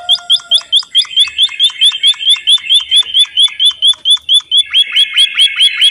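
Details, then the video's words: White-headed munia singing actively: a dense, steady stream of short, bright, hooked chirps, about two per second, with overlapping notes that suggest more than one bird, and a slightly lower, harsher series near the end. "suara burung emprit bondoh haji gacor"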